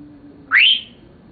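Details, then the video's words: Male Senegal parrot aged seven, kept as a pet and said to be talking, produces one loud whistle that sweeps quickly upward, then levels off and fades over about a third of a second. "Senegal Parrot Talking"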